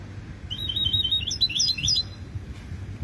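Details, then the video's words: Hybrid goldfinch delivering a dense phrase of sharp, high chirps and liquid trills, fast and jumbled, about one and a half seconds long, with a constant low background hum. "هجين حسون لغة الله يبارك 2020"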